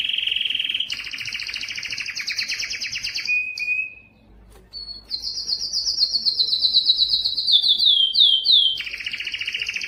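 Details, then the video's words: Singing yellow canary delivers a loud rapid trill with a higher harmonic, a brief descending whistle, a pause, then a long rattling tour sweeping upward and falling in quick slurred notes before another dense trill. "yellow canary singing"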